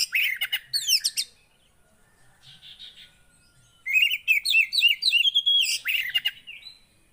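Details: Javan white-eye in a cage, song meant to coax a non-singing bird: two bursts of fast high twittering with repeated downslurred notes, separated by a few seconds of near silence.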